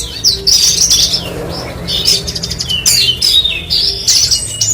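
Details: Branjangan lark giving quick high chirps and short squeaky whistled phrases in bursts, with brief gaps between the phrases.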